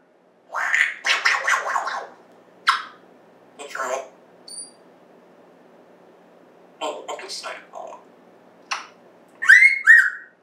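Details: African grey parrot kept as a talking pet, September 2024: rapid speech-like mimicked chatter in bursts with pauses, ending in two bright looping whistles.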